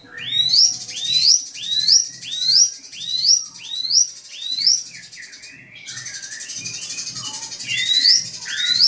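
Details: Drongo singing to provoke a rival: a steady train of rising whistled upsweeps roughly every 0.6 seconds, a noisy hissing interval, then a few more clear upward whistles, low knocks beneath.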